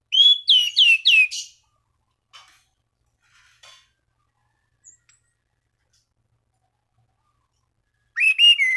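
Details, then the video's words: Orange-banded thrush singing to provoke rivals and encourage other thrushes to sing: a quick series of three curling whistles at the start, soft faint clicks, then another whistled burst near the end. "Anis Cendana Gacor MEMANGGIL LAWAN Pancingan burung anis lain agar berkicau"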